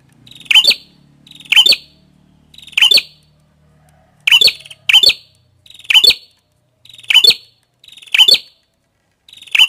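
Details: Repeated sharp chirps from a red-headed prinia, a high bright note given roughly every second in a steady series of about nine, with a faint low hum early on.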